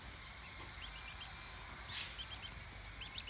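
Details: An Australian wood duck duckling in care, about 18 days old, giving thin, high peeps in short bursts, several across a few seconds, over a low background rumble.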